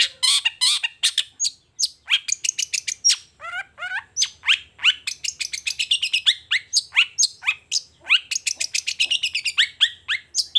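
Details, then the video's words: Long-tailed shrike in full morning song, a continuous rapid string of sharp, sweeping chirps and a short trill, delivered almost without pause for about ten seconds. "Suara Cendet Gacor Di Pagi Hari Toet Toet"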